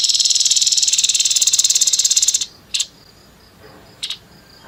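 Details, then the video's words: Grey-headed babbler singing in a harsh 'nembak kasar' style: a dry, rasping high trill of rapid pulses lasting over two seconds, followed by two short buzzy bursts after pauses. "TEPUS KEPALA ABU ABU NEMBAK KASAR"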